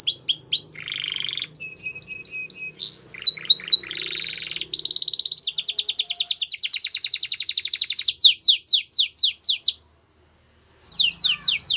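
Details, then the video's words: Belgian canary sings a long, varied song of high sweeping notes, rapid trills and buzzy rolls, pausing briefly before resuming with fast repeated chirps. "Canary Bird Singing | Belgian Canary"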